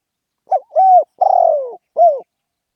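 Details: Single vigorous 'khan yon' coo sequence from a spotted dove: a clipped first note, a swelling arched coo, an extended buzzy falling coo and a short ending note. No background noise is present.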